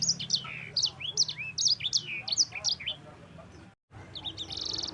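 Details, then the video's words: Yellow-fronted canary (sanger) in lively, continuous 'roll' song: rapid high whistled notes, slurred upward and downward sweeps and short trills. A brief silent break near the end, then a buzzy high trill with a low hum underneath. "Kicauan Sanger Gacor Roll Juara"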